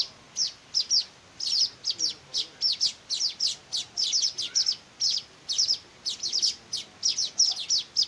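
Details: Young weavers being fed by hand give a rapid, uneven run of thin, high chirps, sometimes clustered in pairs or triplets, loud and continuous against a quiet background.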